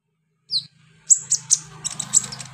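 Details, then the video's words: Short high chirp, then a series of piercing high notes roughly every third of a second from a captive kolibri ninja sunbird, over a low steady hum; a therapy track to spur song. "NGETREN TERAPI KONIN GACOR 2023 full roll rapat tembakan pedas"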